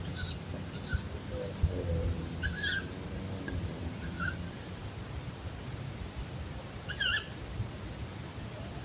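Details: Two young tawny owls, perched high on a branch in a park on a June night, give short, hoarse, high-pitched wheezy screeches every second or few, over a steady low rumble of background noise.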